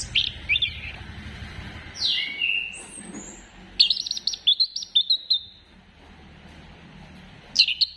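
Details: Orange-headed thrush song used to spur other birds into singing: clear whistled phrases, some sliding downward, some rising, then a burst of fast high notes around four seconds, with quieter gaps between phrases.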